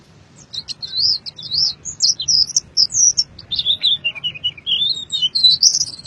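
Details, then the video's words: White-eye from Boyolali, Indonesia, with beak open, delivering fast high twittering phrases that build from quiet to loud, swooping warbled notes, over a steady low rumble in the background. "Kicau Pleci Full isian Buka Paruh Sobek-sobek"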